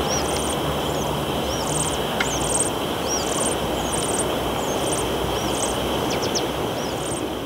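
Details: Willow warbler near a visible female, shaking its wings on 8 May 2022. It gives a very high song heard only at short range: short, thin buzzy bursts repeat about every half second, alternating with brief upslurred notes. A steady low rumble runs throughout.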